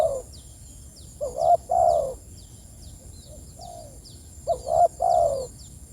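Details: Spotted dove calling to its companions with low hooting coos: a tail-end croo, a double-noted phrase, a weaker quiet coo, then another full phrase, over light high chirping from other birds.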